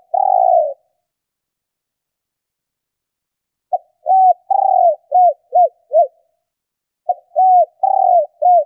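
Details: Female spotted dove calling to stir males into cooing: a long purring note, a pause of about three seconds, then a phrase of short and arched coos and a long trill, and the start of another phrase.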